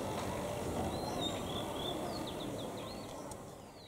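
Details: Oriental magpie-robin (Copsychus saularis), song.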